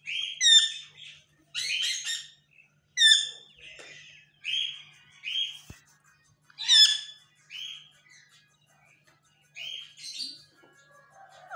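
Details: Pet parrot talking and trying to say more, producing short bright squawks and clipped harmonic syllables repeated roughly every second, grouped in uneven bursts with silent pauses, a sharp click near the middle.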